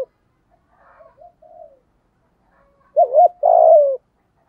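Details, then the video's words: Spotted dove singing a 'giọng thổ' style coo, meant to provoke wild doves into calling: faint, soft low coos first, then one clear phrase of two quick looping notes and a drawn-out, gently falling coo. "cu gáy giọng thổ đầy đủ bài bản, giúp những con bổi cứng đầu ức chế và nhạy gáy"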